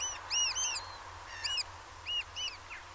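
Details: Eurasian oystercatchers at Peenemünde: loud, piping arched whistles in overlapping bursts from several birds, sharp and ringing, over steady low wind or surf rumble.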